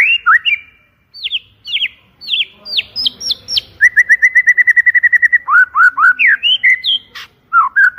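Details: White-rumped shama in a loud, clear 'pancingan' lure song: sweeping whistled notes rising and falling, a fast run of about fifteen identical short chirps, then slurred downward whistles and rising high notes.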